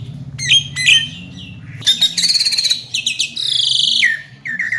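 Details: A tame Javan myna, described as able to talk and full of varied sounds, gives scratchy chirps, a long buzzy rising phrase and shorter squeaky notes, with a low steady hum behind.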